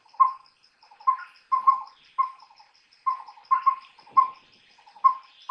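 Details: Collared owlet in the daytime giving mellow whistled hoots in a one, two, one rhythm, with fainter trailing notes; a steady high insect drone continues throughout.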